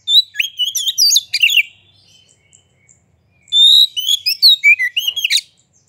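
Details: Lure song of a white-rumped shama to trigger other birds: a busy burst of sharp whistles and rattling notes, a short gap, then a long whistle followed by fluid varied phrases ending harshly.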